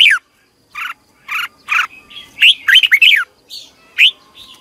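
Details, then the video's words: Red-whiskered bulbul singing in the morning, used as decoy song to stimulate competition birds, long twisted double-voice style: several separate downslurred whistles, then a tumbling warbled phrase and a final sharp note. "Ép chào mào hót Giọng kép xoắn dài"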